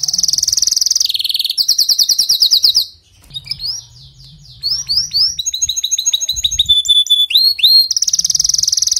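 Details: Canary song used to spur a weak canary: loud rolling trills at two pitches, a short lull, then rising whistled slurs and steady tones before the rolling trill resumes.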